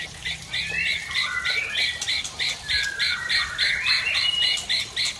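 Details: Original Murai Aceh Tangse, a white-rumped shama, singing aggressively after moulting: rapid repeated bright whistled notes, about three per second, with short rising and falling phrases running steadily throughout.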